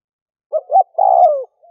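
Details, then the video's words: A single luring phrase from a spotted dove decoy: two short notes, then a long coo that gradually slides downward, in a quiet background. "Cu mồi kèm || Tiếng chim cu gáy kích bổi nhanh nổi"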